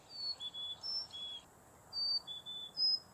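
Carolina chickadee giving thin, very high seet alarm notes, about seven brief pure whistles in three seconds at slightly shifting pitches, over faint steady background hiss.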